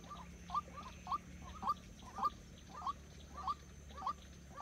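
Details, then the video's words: Decoy white-breasted waterhen, used to lure others into traps, utters evenly spaced short upward-inflected notes, roughly eight in under five seconds, against a steady low hum. "Dợt chim cuốc mồi"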